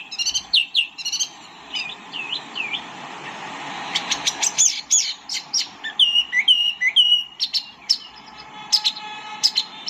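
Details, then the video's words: White-eye (tieu mi or wambi mini) sings brief chirp groups and soft slurred notes over a noisy background hiss, followed by clearer repeated high whistled phrases. "kicau burung tieu mi atau wambi mini"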